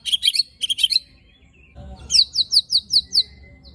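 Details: White-rumped shama (murai batu) giving a rough-fill training song of 'tembakan' and 'besetan' phrases, meant to provoke other shamas: two bursts of sharp, chattering high notes, a pause, then six quick repeated ringing whistles.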